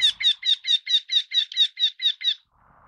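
A Eurasian wryneck gives eleven nasal, ringing 'quee' notes in a quick, even series, about five per second, with a faint hiss afterwards.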